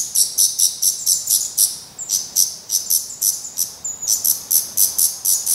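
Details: Black redstart chicks at the nest give a rapid, high, hissing chatter of begging calls, several bursts each second and rising in intensity. The chicks have already tried their first flights, still show some head down, and are still fed by the parents.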